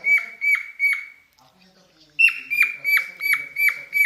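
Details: In mating mood, a pet cockatiel whistles a few falling notes, goes quiet for about a second, then restarts with a loud opening whistle and a quick repeating series.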